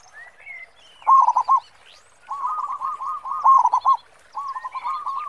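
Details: Local zebra dove in full song with a big 'khong' voice, used to stimulate other doves: rapid rolling coo phrases near one pitch, a loud stuttering burst, then softer trilled runs, with thin high chirps of other birds behind.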